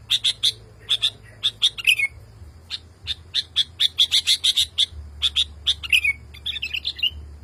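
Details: Agitated male sooty-headed bulbul calls to a female after hearing another bulbul: clusters of bright, clipped chirps, often in twos and threes, plus a few quick falling slurs, over a faint steady low hum.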